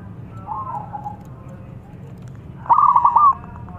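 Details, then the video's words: Local zebra dove singing prolifically, a long lure song for birds not yet singing: a faint soft coo, then after a pause a loud, quick, rolling series of trilled coo notes. "Suara Perkutut Lokal Gacor Super Panjang"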